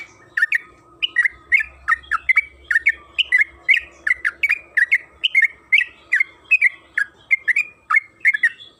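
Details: Yellow-vented bulbul (trucukan kebo) in long, rapid 'gacor ropel' singing, used as a lure to make other bulbuls sing: a steady run of short chirpy notes, each dipping and rising, repeated about twice a second for the whole stretch.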